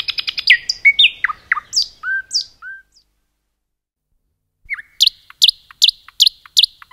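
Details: Common nightingale singing in a forest: a varied phrase of rapid buzzy notes, then falling whistled slurs and two long flat whistles, a pause, then a row of loud sharp descending chips repeated about every half second.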